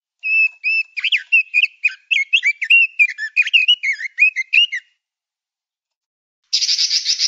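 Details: Male Oriental magpie-robin singing a training song for songbirds: a rapid run of varied whistled notes, slurred and rising or falling, for nearly five seconds. After a short pause comes a harsher, buzzy burst of rapid notes.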